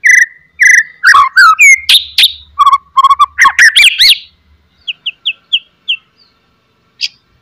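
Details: White-rumped shama at its peak, with loud chattering and piercing whistles used to provoke other shamas into singing: a dense, varied run of whistled phrases, buzzy notes and rapid rattles for about four seconds, then quieter repeated short whistles.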